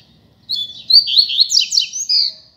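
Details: Free double-collared seedeater giving a show on the street, recorded as a tutor song: one loud, rapid phrase of high twittering whistles with slurred dips and a sustained bright note at the end.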